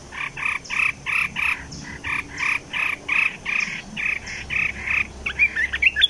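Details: Olive-winged bulbul serving as a caged decoy for bird trapping: a run of harsh, buzzy notes repeated roughly twice a second, ending in a quicker jumble of sharper chirps.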